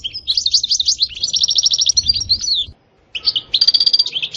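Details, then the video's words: European goldfinch singing, a fast twittering run of bright notes with buzzy trills, a short pause, then the twittering resumes. "تغريد حسون روعة ستستة وبتبتة خرافية محفزة جدا goldfinch jilguero chardonneret"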